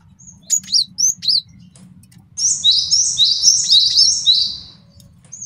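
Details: A male cinereous tit, used as a master song for training and trapping, opens with four spaced, sharp downslurred notes and then runs into a dense, continuous string of high swept whistles.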